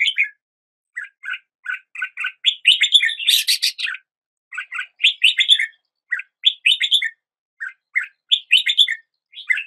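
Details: Red-whiskered bulbul song with short spaced chirps building into a loud, harsh-edged burst, followed by repeated bubbling phrases and brief pauses; no other sounds.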